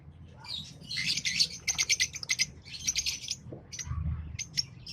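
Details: Two green Fischer's lovebirds singing: dense runs of rapid, shrill chirps and twitters repeated in tight trains, with a brief pause before the chatter picks up again, all over a faint low hum.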